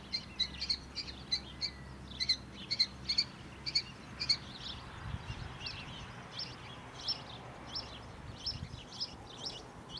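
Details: Early-morning farm recording of a young kestrel that left its barn nest box and reached the ground, shouting for attention with bursts of shrill, evenly spaced notes, fading into quieter irregular chirps with light background noise.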